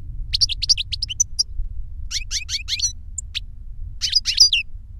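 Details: Tutor European goldfinch and its young pupil, taught through a CD of the tutor's song, singing reclamo. Quick series of bright, liquid twitters in three clusters separated by brief gaps, soft rumble underneath.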